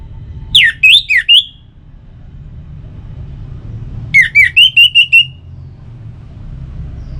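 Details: Kept Orange-headed thrush from northern Bali, song used to make other birds sing; two phrases of loud swooping whistles, the second a quick series of about six repeated notes, over low hum.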